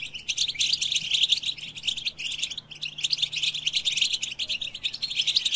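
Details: Melodious European goldfinch song for motivating fellow goldfinches: busy high-pitched twittering and chirping, with a short lull around the two-second mark before the rapid chatter resumes.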